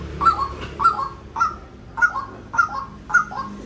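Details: White-breasted waterhen repeating a doubled, honking call about six times, each a sharp note followed by a softer lower echo, paced a little slower than twice per second.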